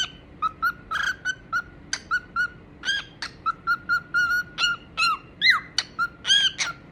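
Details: Cockatiels kept as pets, calling with a quick irregular string of short whistled chirps and occasional longer warbled notes, roughly two per second, over a low background hum.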